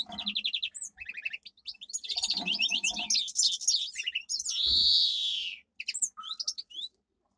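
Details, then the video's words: Domestic canary, a domesticated form of the Canary Islands finch, in a powerful training song: fast trills of repeated notes, dense chattering phrases, then a long sustained high whistle and a few closing chirps. "Canary singing - 2 Canary 's most powerful song for training"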